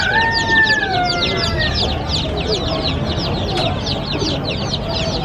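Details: Brightly coloured little chicks chirping as they run and play. Constant high, short, falling peeps from many birds overlap into a busy, steady chatter. A couple of smooth gliding tones appear early.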